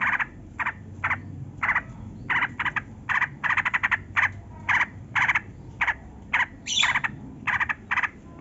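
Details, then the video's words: :Yellow-vented bulbul in lively, long-rolling song, played as a lure to prompt captive bulbuls that are reluctant to sing. Short bubbly, chattering bursts are repeated about every half second, with a faint low hum beneath. "Trucukan Gacor Pancingan Burung Bahan Jantan dan Betina Agar Garuda dan Bunyi"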